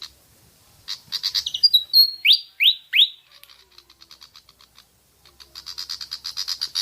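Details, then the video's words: Pied fantail song used to lure birds into singing: fast high chips build into three loud, clear, rising whistles, followed by a quieter rapid ticking series and a renewed burst of chatter. "Pancingan suara burung kipasan/srikatan jawa javanica)"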